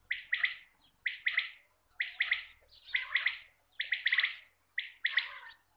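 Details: Hunters' quail lure call: a steady run of sharp, chirpy two- and three-note bursts, repeated about once every second with clean pauses, and a faint low hum underneath.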